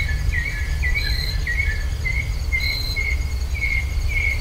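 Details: Rural Virginia birdsong on a stereo ultrasonic microphone pair: a series of smooth wavering whistles, each under half a second, sliding up and down, backed by faint high notes and constant low-pitched rumble.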